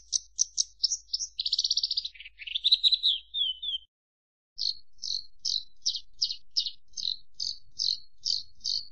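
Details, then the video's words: Javan bush lark song opens with quick sharp chirps and a buzzy descending trill, then after a brief gap a steady series of short high chips about three per second. "Suara Kicau Burung Branjangan"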